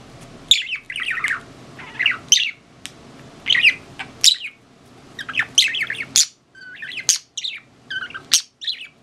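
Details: Elderly pet budgerigar chattering in bursts of sharp, chirpy warbles that rise and fall quickly, separated by short pauses, with bright clicks between phrases.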